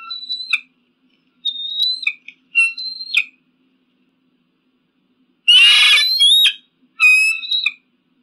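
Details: Eagle calls: thin, high whistled notes and short squeaks, then a loud, harsh scream followed by a shrill harmonic squeal.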